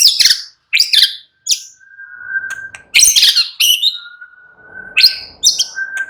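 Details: Captive white-rumped shama singing relaxed song, loud bursts of sharp high chattering notes alternating with soft steady low whistles, repeated several times.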